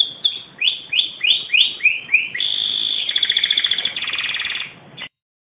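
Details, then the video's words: Canary (AF1) sings a bright, high song: a run of about eight quick swooping whistles, then a fast buzzy trill and rapid rattling notes. "Kicau Burung Kenari AF1 Merdu"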